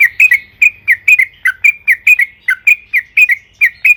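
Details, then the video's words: Trucukan (yellow-vented bulbul) in lively song, used as a lure and described as long rolling song: rapid chattering series of short, bright, slurred chirps, some dipping lower, repeated several times a second without pause. "suara burung trucukan gacor AMPUH EMOSI ROPEL PANJANG"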